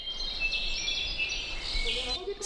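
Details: Brown-backed Solitaire in pine forest in the Sierra de Manantlán biosphere reserve, western Mexico, sings a high, metallic, squeaky, robotic-sounding jumble of thin notes over steady forest hiss, with a faint low voice at the end.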